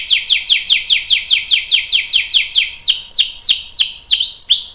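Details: Canary song intended for training young and adult canaries: a rapid series of downward-slurred notes, slowing into longer swooping whistles near the end.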